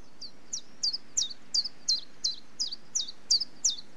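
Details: Common chiffchaff delivering its monotonous song, a dozen bright high notes in quick succession, each a quick downward slur, alternating in a two-tone chiff-chaff pattern at about three per second.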